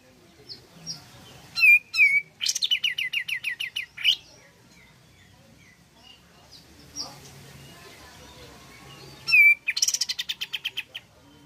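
Pied fantail song: sharp, hooked whistles followed by quick runs of eight to ten squeaky chirps, repeated twice in a quiet setting.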